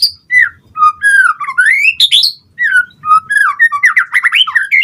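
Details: White-rumped shama song used to trigger replies from other birds: varied whistled phrases, slurred notes and a fast rising series of repeated notes near the end.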